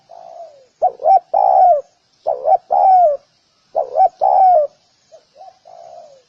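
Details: Spotted dove calling, a soft cooing phrase of two short rising notes then a longer falling coo, repeated three times with brief quiet gaps and faint trailing coos.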